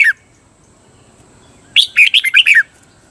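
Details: Red-whiskered bulbul from Thailand singing a cage-bird training phrase: a brief note at the start, a long pause, then one lively burst of about six fast, bubbling, slurred notes falling at the end.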